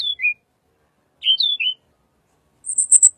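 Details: Little pied flycatcher, sound used as a lure for white-rumped shama: two short phrases of falling slurred whistles after a pause, then a high buzzy trill.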